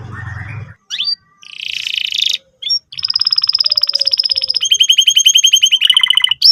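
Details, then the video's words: Canary lure song used to coax young canaries into learning to sing. After a low rumble and a scratchy burst, long fast trills follow in shifting pitch bands, each rapidly repeated. "pancingan burung kenari gacor cuit cuit emosi, kesukaan kenari muda belajar bunyi"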